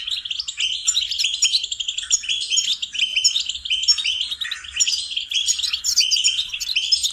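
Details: Goldfinch singing for songbird training, a continuous stream of quick chirps, twitters and tinkling notes without pause, bright and high-pitched throughout.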